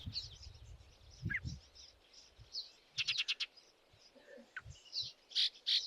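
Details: A male Yellow-breasted Chat calls from riparian habitat edged by junipers along the North Fork Malheur River, Malheur County, Oregon, in hot high desert. It gives a jumble of high whistles, harsh notes and a burst of five dry chips, with a man talking at the start.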